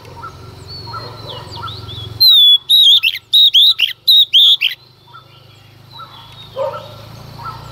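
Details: Early-morning song of a female Oriental magpie-robin, sung to rouse males: faint twittering, then a loud burst of about seven sharp whistled notes with short gaps, then quieter chirps and background murmur.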